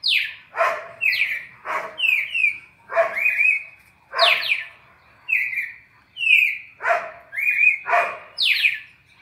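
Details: Red-crested cardinal four-note classic song sequence used for training captive birds: clear whistled notes, some sliding down from high to lower pitch, others level, repeated in phrases about once per second and mixed with harsh broad rasping bursts.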